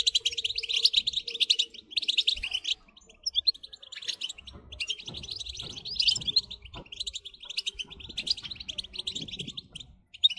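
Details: European goldfinch song played to stimulate singing: bursts of rapid twittering, buzzy trills and tinkling notes in phrases of one to three seconds, with a low hum and faint mechanical clatter in the background.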